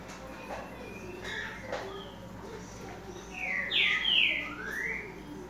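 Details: Green-winged saltator singing: after a quiet start with faint background notes, loud clear whistled phrases rise and fall, slurring up and then sweeping down in the final two seconds.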